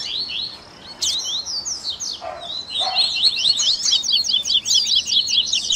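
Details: Tui tui baderna of double-collared seedeaters for training caged birds; a loud sweeping note opens, then overlapping rapid high chirps build into a dense, fast chorus.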